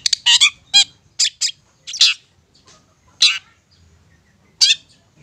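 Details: Long-tailed shrike lure song: a burst of harsh, scratchy chattering notes at the start, followed by a few isolated rasping squawks separated by silent gaps.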